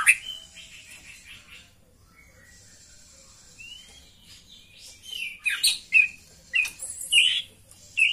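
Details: Female white-rumped shama call used to stir a male into breeding condition: scattered high chirps and a soft slurred whistle, a quieter stretch, then a burst of sharp, loud chirps and whistles.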